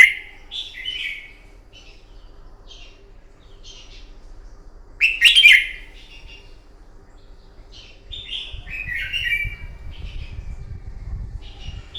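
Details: Red-whiskered bulbul fighting song in the morning, used to train a bird: clear whistled phrases around mid-high pitch in short bursts, one loud rich burst midway, with a low rumbling hum underneath toward the end.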